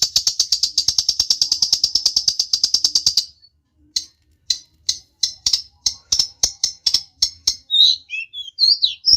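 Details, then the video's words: Long-tailed shrike provoking a rival to answer, starting with a fast rattling trill of rapid high notes, then a pause and slower spaced harsh notes ending in thin whistled twitters. "pancingan burung cendet bikin emosi lawan nya jamin nyaut"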